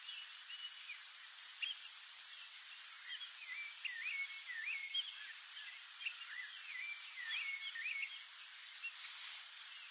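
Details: Rufous-bellied thrush (Turdus rufiventris) at its nest in the breeding season gives soft, short, rising whistled notes in quick, uneven runs, fairly faint, over a steady high insect hiss.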